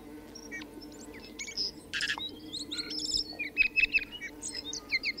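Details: Tui singing a busy, varied phrase: clicks, short buzzy bursts and clear metallic whistled notes tumbling together, growing louder toward the end, over a low steady hum.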